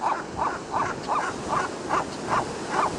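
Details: Gulls at the ocean in California: a fast run of eight short, harsh, yelping notes, each about 0.4 seconds apart, over a bed of wind and surf noise.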